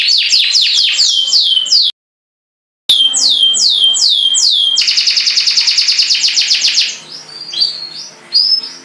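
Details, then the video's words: Kept canary in long, lively song: repeated high sweeping whistles falling in pitch, then a dense, fast, rattling trill lasting about two seconds, followed by scattered chirps, with a brief silent break early on. "Burung Kenari gacor Kicau Panjang"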